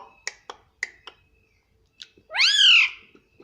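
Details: Several sharp clicks or snaps followed by one long, loud, arching utterance from a pet Indian ringneck parrot that talks nonstop, saying "mummy".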